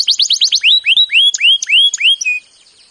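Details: Canary in training song: quick repeated chirps that slow into a series of upward-curving whistled slurs, some paired with higher notes, fading into a final short tone.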